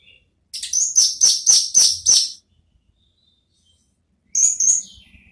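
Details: Orange-headed thrush in 'ngeplong' therapy song for luring a reply; five evenly spaced, loud, high whistled notes in quick succession, a pause, then one more similar note with a faint low rumble.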